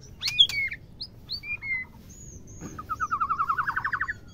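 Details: A white-rumped shama female calls to stimulate males to mate, with varied high chirps and short whistles that give way to a fast, buzzy trill rising slightly in pitch.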